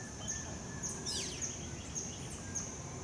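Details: A blue-gray tanager (Tangara episcopus) recorded on 30 October at the Musa tower in the Amazon gives a brief burst of thin, high, down-slurred squeaky notes over a steady high insect drone.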